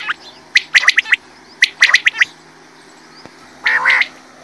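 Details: Quail calling during quail hunting: two quick groups of sharp, high, clipped notes, then a pause and a single rougher, harsher burst near the end over a faint steady hum.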